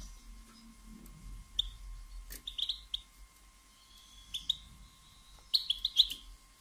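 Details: Female European goldfinch batbata, sparse high chirps meant to rouse males to sing and mate: scattered single tweets, then a tight cluster of four near the end, with clicks and a constant faint hum.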